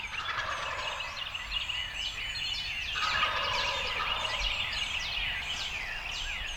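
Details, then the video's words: Spring turkey season morning in Illinois, April 25, 2020: a trio of young Wild Turkey gobblers coming into decoys call over one another in rapid, rattling, downward-tumbling gobbles without a break. "Thunderous Gobbling: A Trio of Bully Gobblers"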